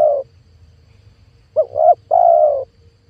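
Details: A lure call of a spotted dove, meant to draw in wild doves for trapping. The end of one phrase is followed by a pair of brief coos and a long, even coo, with a faint low hum beneath.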